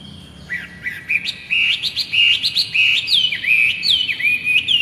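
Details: Energetic masked laughingthrush singing, used to teach young cage birds their song: looping whistled notes that dip and rise, delivered in rapid, varied bursts that grow louder toward the end.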